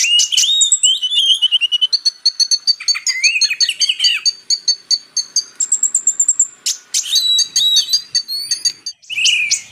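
A high, rapid, nearly nonstop twittering song of a Ruby-cheeked sunbird: sharp chips, thin whistled notes and short buzzy trills tumbling quickly together.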